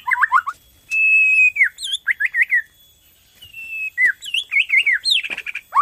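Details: Borneo white-rumped shama in full song, played to stimulate rival shamas into singing: rich whistled phrases, a long steady whistle, quick looping warbles and high sharp notes, with a short silent gap before another varied run.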